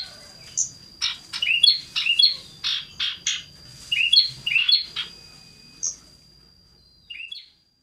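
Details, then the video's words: Scarlet-headed flowerpecker, lively and loud, hopping from place to place while singing: a quick series of sharp, high chirps and short twittering notes for about five seconds, a pause, then a brief final chirp, over a faint steady whine. "Cito sirdum gacor ngobra suaranya tiada duanya terbaru"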